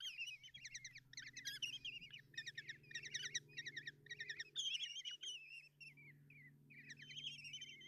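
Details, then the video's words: Common kestrel chicks beg as the mother brings breakfast to their nest box, Tiszalök, Hungary, June 30, 2024: rapid bursts of chittering followed by long thin wavering squeals, over a steady low hum. "Common Kestrels (Tiszalök, Hungary) | Mom brings breakfast and feed chicks"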